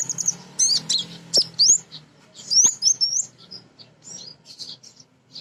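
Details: Female kolibri ninja sunbird, a captive nectar-eating bird, singing briskly as a lure to make other sunbirds sing. Very high, thin chirps and quick rising whistled slurs come in bursts about once a second, with a faint low hum behind.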